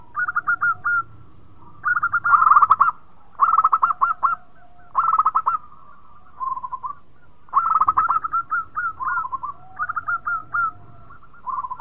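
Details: Local zebra dove (perkutut) in full melodious song that prompts other birds to sing: rapid trilled coo phrases repeated every second or two, with a soft steady lower tone between some phrases and low background noise.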